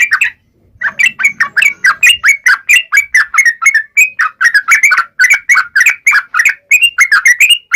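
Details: Yellow-vented bulbul in lively ngalas tajam style song, used to provoke other bulbuls into singing: a fast run of bubbly, chattering notes, each sliding down and repeated several times a second with only brief gaps.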